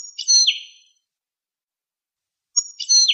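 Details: Goldfinch song phrases: a high, thin, tinkling twitter that sweeps downward into a buzzy slur, then silence before the same bright phrase begins again.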